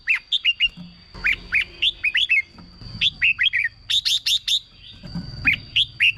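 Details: Red-whiskered bulbul, caged, its song meant to stir other birds: slurred whistled phrases of two to four notes, a burst of sharp chips near four seconds, low rumbling noise underneath.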